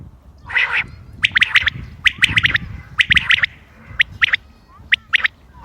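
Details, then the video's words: Common quail calls dated 28 May 2025 and used for hunting: a short nasal note is followed by quick clusters of two or three sharp, clipped notes that repeat about once per second over a low rumbling background. "quail bird sounds common quail bird sounds بٹیر کی آواز شکار کیلئے"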